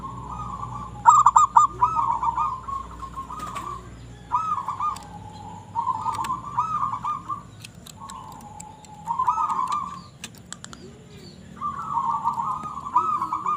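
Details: Zebra dove of a local strain, singing often: several separate cooing phrases, each a vibrating, buzzy coo, some with a rapid trilled opening, with sharp clicks and taps between them.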